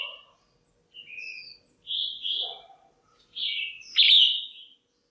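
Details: Red-whiskered bulbul hen kept in a cage, voicing calls used to stir up males or for pairing: a run of clear fluty whistles building to a loud, ringing slurred note near the end, with faint lower warbles.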